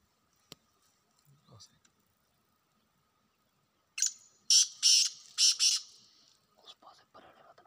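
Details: Faint scattered sounds, then a wild black francolin bursts into a rasping call: a thin lead note and four strident grating notes in pairs, followed by soft rustling.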